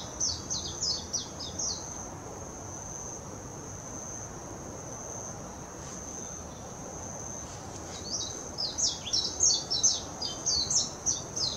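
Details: Warbling white-eye, Hashimoto, Wakayama Prefecture, Japan, 26 June 2021, Nikon Coolpix P900: a quick high twittering phrase, a long pause filled only by a steady shrill drone, then a longer, louder chattering burst of song.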